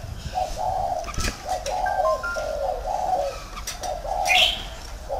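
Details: Spotted dove kept as a decoy bird in a round cage at a bird garden in Ba Vì, Vietnam, giving soft low cooing phrases, several hoarse coos in quick runs, with faint thin whistles and a brief buzzy note in the background.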